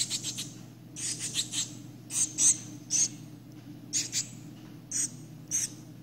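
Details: Young shiny cowbird being cared for after parasitism by 27 Philornis larvae utters a series of thin, piercing, high chips, some grouped in quick pairs or runs, spaced irregularly over a quiet room hum.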